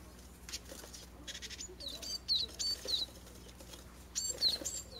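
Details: Japanese tits fledging from a first-time nest box in a Kurogane holly tree, in a home garden of a residential area near a mountain village; six chicks fledge under a parent pair's care. High thin chirps come in short bursts among wing-flapping rustles.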